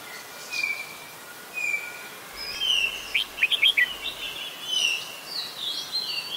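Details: Adult red-whiskered bulbul in Ubon Ratchathani, Thailand, on 16 December 2020. Thin whistled notes open the clip, then a quick burst of bright chirpy notes comes mid-way, followed by further drawn whistles over a steady outdoor hiss.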